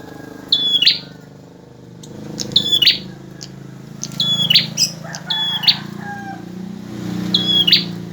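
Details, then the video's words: Male bar-winged prinia singing persistently, a recording meant for tutoring other birds: short sharp whistled phrases ending in a buzzy flourish, repeated about every two seconds over a low background hum. "Suara burung prenjak jantan gacor"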